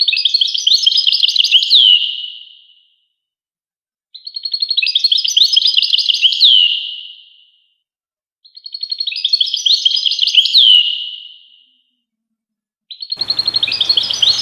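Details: European goldfinch singing in bursts of about three seconds, separated by silences of about a second and a half. Each burst is a dense, high, tinkling trill that fades out at the end.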